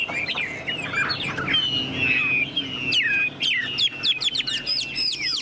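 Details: Chinese hwamei, a tame caged bird with fanned tail, delivering a high, sustained song of bright whistled slurs, then rapid repeated downslurred notes that quicken toward the end, with some background noise.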